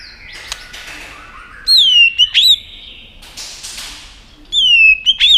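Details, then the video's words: White-rumped shama song meant to spur a rival shama into competition singing: two loud pure whistles sliding downward then rising sharply, separated by a quiet stretch with soft scratchy background noise. "Chòe lửa tạch đập đuôi kích thích lửa lên lửa rất nhanh kích chim hót đấu hiệu quả"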